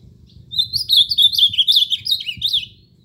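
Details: Ultramarine grosbeak delivering one rich, warbling song phrase of about two seconds, made of quick rising and falling whistled notes strung tightly together, over a faint low hum.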